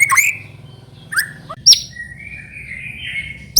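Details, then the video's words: A young (trotol) white-rumped shama, used as a lure sound to get shamas singing, sings rich, varied phrases: clear whistles, sharp chips and a long sliding whistled note, with faint low background hum. "PANCINGAN MURAI BATU TROTOL AGAR CEPAT BUNYI GACOR"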